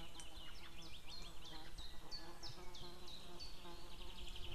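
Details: Outdoor recording from 2 May 2016, shortly before noon, of a female white-tailed eagle calling while a distant male joins in: a clear run of sharp, high, downward-sliding yelps, roughly three per second, above low-pitched background rumble.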